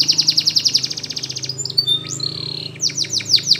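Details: Belgian canary singing as a training model for young birds: a fast even trill, a few clear whistled notes, then sharp descending chips, over a steady low hum.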